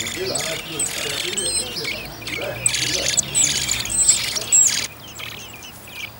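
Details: Common blackbird in a garden on Whit Monday, a family whose second brood of four young is about to fledge: bursts of sharp, scratchy high notes with a few thin whistles, over a busy outdoor background.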